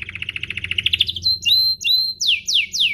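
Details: Canary song used to get other canaries singing: an accelerating rising trill, clear whistled slurs, then three broad downward sweeps.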